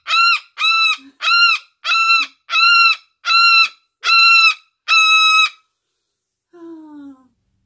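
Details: An adopted pet umbrella cockatoo gives eight loud, harsh screeching calls in quick succession, about one every 0.7 seconds, followed by a brief low human voice.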